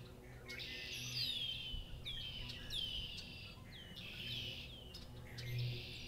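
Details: Red-winged blackbirds singing at a Massachusetts farm, sharp falling whistles each followed by a grating buzz, repeated about once a second, other birds calling behind.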